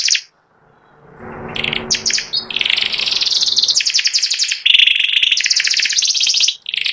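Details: White panda canary, a caged bird with a symmetrical pattern, singing a long, continuous, rapid high trilling and chattering song with buzzy rolled phrases and clear whistled notes, after a brief pause near the start; a low background rumble is also heard.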